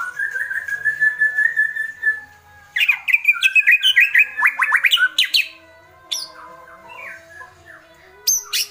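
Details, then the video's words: Agitated white-rumped shama delivering kretekan: a long, steady whistled note, then a rapid, stuttering volley of sharp clicking and chattering notes, followed by scattered thin high whistles. "Kretekan Murai Batu Emosi"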